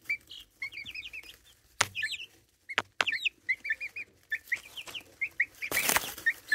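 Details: Chicks about four and a half weeks old, recorded on a phone set down nearby, give quick high cheeping peeps, many short rising and falling notes in bursts, with a few sharp knocks and a brief rustle near the end.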